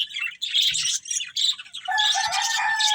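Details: Budgies enjoying green food: rapid scratchy chirps in short bursts, then a sustained whistled tone under continuous chatter.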